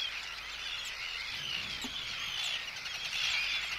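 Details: Arctic terns giving anxiety and threat calls at an intruder, along with chick calls, recorded close up at a colony; a dense constant chorus of high harsh calls with a few clearer drawn-out notes.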